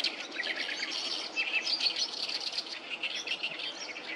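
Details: Oriental reed warblers singing noisily in numbers by the Sawatari River on 7 June 2024: a harsh, chattering run of rapid, scratchy high notes tumbling on without pause, with a faint outdoor hiss beneath.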